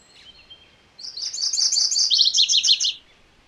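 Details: Song of a MacGillivray's warbler: after a faint high whistle, a loud two-second run of quick chirped notes, the later ones lower and more slurred, ending abruptly.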